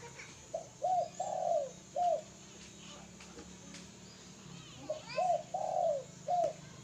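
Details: Two phrases of soft, rounded coos from a spotted dove, short notes framing a longer swelling coo, separated by a quiet gap with faint background hum and light noises.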